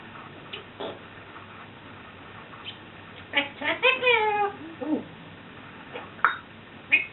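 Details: Pet African grey parrot known for swearing, burping and farting, kept indoors: scattered clicks, then a run of nasal, voice-like notes sliding downward, ending with a few sharp squeaks.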